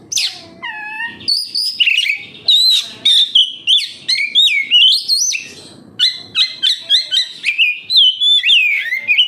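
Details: Kacer (oriental magpie-robin) kept caged sings to draw out other birds: falling whistles, then loud looping and rising notes in quick succession, with brief sharp chirps.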